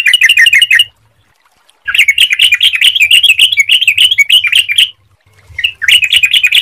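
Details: Yellow-vented bulbul giving clear, lively song meant to lure other bulbuls into singing: fast, jumbled, bubbly notes in three runs with brief silences between.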